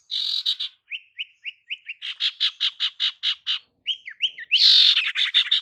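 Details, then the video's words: Female sirtu giving calls meant to attract males: buzzy notes, a run of soft rising whistles, then a steady train of rapid harsh chirps, ending in a loud raspy burst. "Kicauan SIRTU BETINA Untuk PIKAT SIRTU JANTAN"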